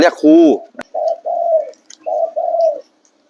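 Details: Spotted dove cooing: after a brief spoken word, low mellow coos follow in short paired and grouped notes, soft and hollow, in a quiet indoor setting.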